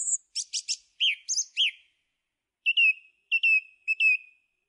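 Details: Song thrush singing: three quick scratchy high notes, then clear slurred whistles, followed after a pause by a short whistled phrase repeated three times, each trailing off in a level tone, against a silent background.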